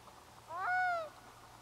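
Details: Black-throated loon's cry carrying across a bay as grey haze drifts in from the sea: one pure, mournful wail, rising sharply then sliding gently down, in near silence.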